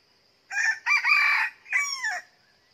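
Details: Crow of a new decoy red junglefowl rooster tried at a second trap outside the usual season. Three loud segments: a brief opening, a drawn-out rasping centre and a clipped downward-bending ending, with a constant high insect drone behind.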